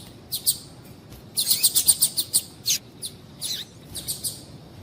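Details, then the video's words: A female double-collared seedeater gives calls that excite males into song. Rapid, thin, high-pitched chirps form a busy burst in the middle, with scattered single notes before and after. "Piado de Fêmea de Coleiro para Esquentar Coleiro"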